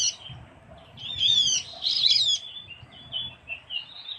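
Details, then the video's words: Javan grey-throated white-eye, Java, used as a lure: one tumbling burst of jumbled high whistles and chatter, followed by softer scattered notes and a low background hum. "suara pikat opior Jawa/cucak gentong/pion/kiongan"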